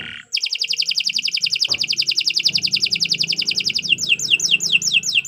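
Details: Canary giving a sustained fast trill of evenly spaced high notes that slows at the end into separate downslurred whistles, used as a master song for training birds.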